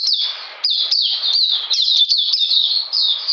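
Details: Oriental magpie-robin held in captivity, cold rainy day of 13 June 2020: strong, high, chattering song of repeated slurred notes at a quick, steady pace, with only brief dips between phrases.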